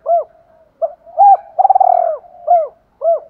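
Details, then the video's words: Decoy spotted dove calling to draw in and provoke rival wild males; arched mellow coos alternate with a long, rapidly pulsed, quavering coo, then two more clipped coos. "Tiếng chim cu gáy mồi gáy gọi bổi/ tiếng chim cu gáy thúc đấu giọng hay"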